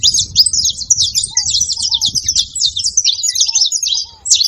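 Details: Saffron finch calling alongside ground doves: a dense, rapid run of high, sharp chirps and twittering notes with almost no break, over faint low rumble and a few soft, short arched notes lower down.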